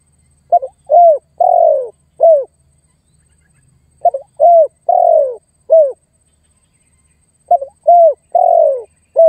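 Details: Spotted dove lure call meant to draw in and challenge a rival: three phrases repeated roughly every three and a half seconds, each a clipped double note followed by three falling coos, the third longest, separated by silence.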